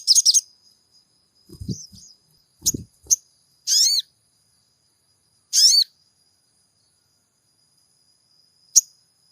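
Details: Sogon calls played to provoke a caged bird to sing: isolated short, sharp, high chirps and downslurred notes spaced a second or more apart, with a couple of low thuds and a thin constant high tone.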